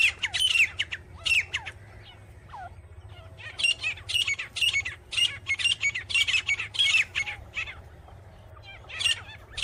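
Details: Grey francolin, called teetar, with scattered harsh notes and a rising squeak, then a dense run of loud rhythmic screechy calls, a pause and a final burst, over low steady hum.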